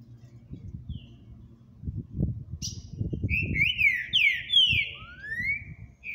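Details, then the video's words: A green-winged saltator (Saltator similis) sings a short run of clear, slurred whistles, some rising and some falling, over low thumping and rumbling noise. "LINDO canto desse Trinca Ferro"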